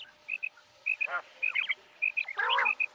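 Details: Common quail giving clear, short whistled notes in pairs at an even pitch, broken by a few lower, nasal, harmonic squeals.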